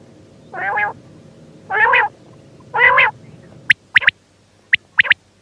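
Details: Quail giving three rough, nasal, buzzy notes about a second apart, then a run of sharp high pips in quick clusters of two and three.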